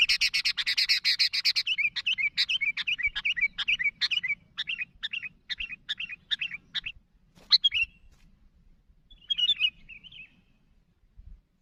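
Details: Sooty-headed bulbul calling to others: dense harsh chatter at first, slowing into spaced chirped notes, then a few scattered fainter bubbly calls with quiet gaps.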